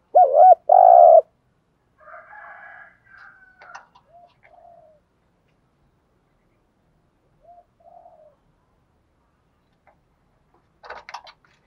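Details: Decoy spotted dove in training gives one strong coo of two rolling low notes at the start, then quiet scattered murmurs, soft distant coos and late faint chirps.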